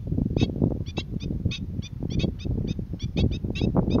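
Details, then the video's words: Black-winged stilt at Boa Vista, Cape Verde, in February 2020, calling with sharp, high yelping kek notes, about five a second in an uneven series, over heavy low wind rumble. "Black Winged Stilt calling"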